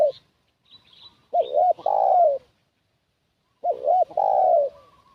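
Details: Spotted dove heard as a lure for wild doves: two loud phrases about two seconds apart, each a quick double coo and a longer falling coo, with faint higher chirps between.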